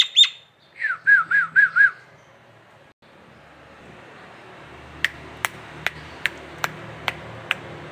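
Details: Nias hill myna in a local tutor recording, giving one clear whistle then four rapid rising-and-falling whistled notes, followed after a pause by sharp dry clicks repeated about every half second.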